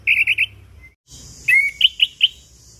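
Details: A quick buzzy trill opens this chestnut-capped thrush song, then a rising slurred whistle and three clipped notes follow over a faint hiss. It is a lure meant to set silent birds singing.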